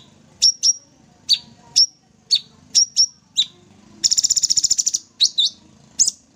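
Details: Lively Sooty-headed bulbul song in the 'tembak' manner: a string of crisp high chips, often doubled, followed by a rapid stuttering rattle of about fifteen pulses and a few more chips.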